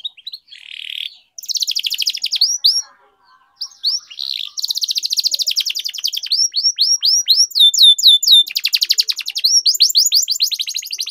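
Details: Canary in full continuous song, used as a lure to coax silent canaries into singing: high, rapid rolling trills, buzzy bursts and strings of quick slurred sweeping notes, repeated at about four per second with brief pauses. No other sounds.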